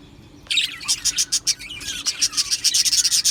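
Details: Budgerigars in an aviary colony giving rapid high chirps and short buzzy notes. After half a second of quiet, dense chatter starts, with pulses about four per second and a steady low hum underneath.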